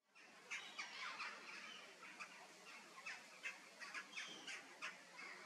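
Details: A zoo-kept laughing kookaburra gives a loud, harsh, cackling series of chuckles that rise and fall in quick bursts, about two per second, with faint outdoor background.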